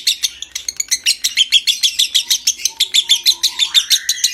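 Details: Ngekek trill of a lovebird used to stimulate breeding condition: quick repeated scratchy chirps, about three per second, steady and bright, with a short rising whistle near the end.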